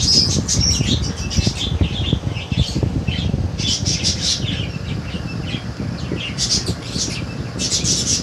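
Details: Baby budgerigars bred in 2022 give raspy, high squawks and chirps in short clustered bursts, over a constant low rumble of handling or background noise.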